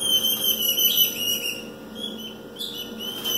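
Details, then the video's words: Female ultramarine grosbeak soliciting mating, giving thin, high, drawn-out whistled notes that waver slightly, repeated rapidly over a faint steady indoor hum. "Fêmea de azulão Bulma pedindo gala pra câmera"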